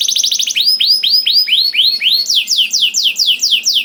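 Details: Canary singing as a prompt for other canaries: a quick stutter of notes, slower upswept whistles, then a steady series of descending slurred notes.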